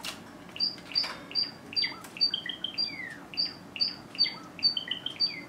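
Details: Java sparrow, a pet bird stretching, giving a series of short high clicking and piping notes, roughly two per second, mixed with some lower descending chirps and light tapping in a quiet room.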